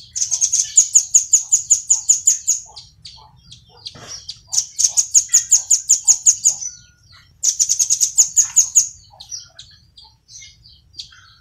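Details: A velvet-fronted nuthatch, called rambatan paruh merah, sings in a training recording for cage birds: three fast trills of piercing high notes, each roughly two seconds long, with brief gaps and faint chirps between them.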